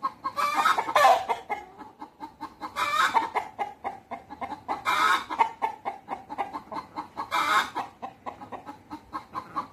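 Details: Rooster with hens, communicating at a natural history museum that also houses white peafowl: continuous busy clucking from several birds, punctuated by four loud raspy squawks spread across the recording.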